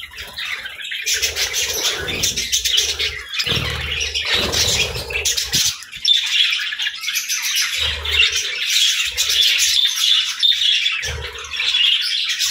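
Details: Several budgerigars chirp and warble steadily during morning feeding time, overlapping squawky notes, with low bumps and a faint steady hum.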